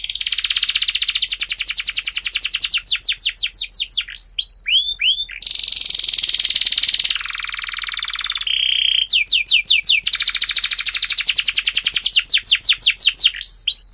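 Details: Canary singing long and loud, used as a lure to teach young canaries to sing and to restart birds that have stopped: rapid buzzy trills break into hooked downslurred notes, then a flat, dense roll and more fast trills.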